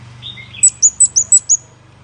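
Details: Quick lure call from a scarlet-backed flowerpecker: a few soft, lower slurred notes, then six crisp, very high, evenly spaced ticking chirps in just over a second, with a faint low hum behind.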